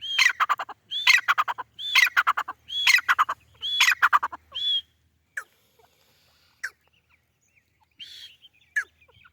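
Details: Grey francolin, called white teetar, calling loudly: five harsh multi-note phrases, each opening with a ringing upslurred whistle, repeated about once a second, then fading to scattered softer single notes.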